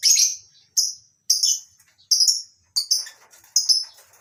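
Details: Shrill piercing chirps from lovebirds kept in a mini colony aviary on a breeding farm, morning, flock including masked and Fischer's lovebirds; single squeaky notes spaced roughly every half second, each trailing off briefly.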